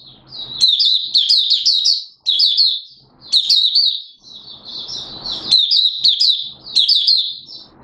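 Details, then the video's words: Oriental white-eye from Malaysia singing buka style, Singapore, warm humid weather with sudden showers, 29 March 2023: repeated bursts of rapid, high-pitched warbling twitters, about six phrases with short pauses, light background hiss. "Malaysian Mata Puteh Buka Sing"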